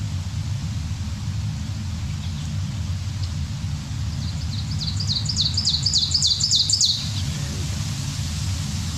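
An Ovenbird's loud, ringing 'teacher-teacher-teacher' phrases build quickly over about two seconds, over a steady low rumble of background hum.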